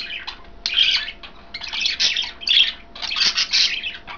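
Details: Three pet budgerigars, one green, one blue and one white, chirp while eating kale indoors; dense bursts of scratchy, warbling chatter with bright squeaky notes, broken by short pauses.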